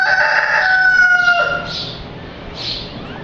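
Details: Rooster crowing at an animal safari park: a loud harmonic crow sustained about one and a half seconds, dropping at the end, followed by fainter bursts from other birds in the background.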